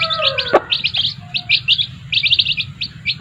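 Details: Chicks beside their mother hens giving quick, high, clustered peeps in repeated bursts, with a brief lower hen note and a couple of sharp knocks.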